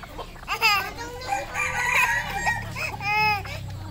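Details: Red junglefowl on a farm in Cambodia, a rooster crowing with a drawn-out, harmonic-rich call that rises and then holds. A second crow follows near the end, with people talking in the background.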